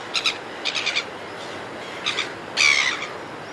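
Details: Close red-billed gulls flying above a cliff top give quick runs of short, nasal, stuttering notes, then one loud, drawn-out harsh screech near the end, against a soft background rush.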